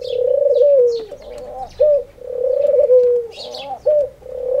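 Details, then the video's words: Singing dove, known as Khumra and said to utter "Haq Allah Hoo" daily at prayer time: smooth extended coos with a dropping tail and short clipped notes between, accompanied by scattered bird chirps. "Khumra (singing dove) saying Haq Allah Hoo"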